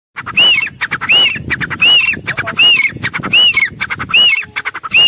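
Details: Repeated grey francolin calls: six rhythmic phrases of rapid clicks, each capped by a ringing high arched whistle, spaced roughly three-quarters of a second apart, with faint low rustling beneath.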